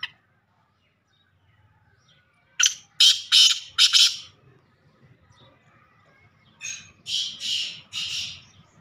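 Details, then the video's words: Male black francolin calling: a burst of four harsh, buzzy, broadband notes in quick succession, then after a pause a second, softer series of similar grating notes. Quiet background otherwise. "black teetar awaz-teetar call sound black teetar boli male teetar awaaz"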